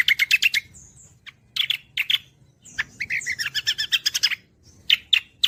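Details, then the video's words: Gacoran song of a cucak kombo leafbird, used to train songbirds: rapid chattering bursts, a brief high whistle, then a dense scratchy warble of quick repeated notes and final sharp chips. "audio Gacoran Cucak Kombo || Masteran Handal Burung Kicau"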